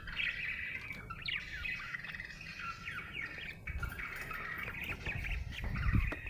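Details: Happy budgie chatter of rapid squeaky warbles and little up-sweeping chirps runs throughout, partly over a strong low rumbling background noise.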